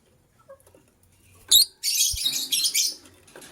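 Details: A pair of white lovebirds in the morning gives harsh, scratchy broadband chirps: one sharp squeak, then a longer raspy burst of about a second. Faint soft rustling sits between the calls.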